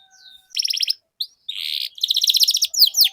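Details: Canary singing to encourage silent birds to sing again, in short bursts of buzzy trills separated by brief gaps, ending in quick swooping notes.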